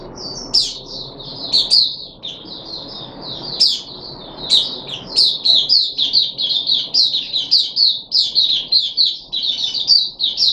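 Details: Caged puff-backed bulbul on 14 July 2021, third day of a deworming course: lively high chattering, phrases of rapid chirps broken by brief pauses, with sharp accented notes standing out and growing busier toward the end.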